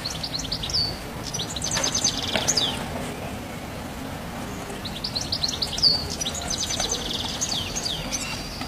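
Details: On a house roof, a European goldfinch twitters in two quick bursts of high, liquid chirps separated by a pause, with constant low outdoor noise underneath.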